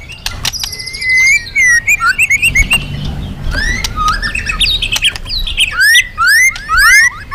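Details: Loud, actively singing magpie-robin, its song meant as a lure for other birds: rapid varied whistled phrases, sweeping slurs and sharp chirps, with brief harsh notes, in quick irregular bursts.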